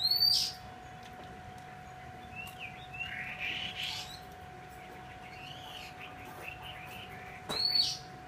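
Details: Captive female Oriental magpie-robin giving sharp, high whistled notes at the start and end, with softer warbled phrases between, over a steady electrical hum.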